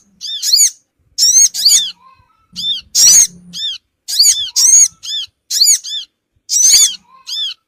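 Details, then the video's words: Lure sound of the Sogon bird for attracting small wild birds: many quick, shrill, harmonic squeaks in pairs and short runs, irregularly spaced, with a faint hum beneath. "suara pikat burung Sogon ampuh cepat ngumpul"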